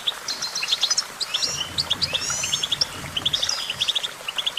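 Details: Goldfinch song, a busy chatter of high clipped chirps in rapid runs of three to five, interwoven with wavering whistled phrases and buzzy trills; soft low hum underneath.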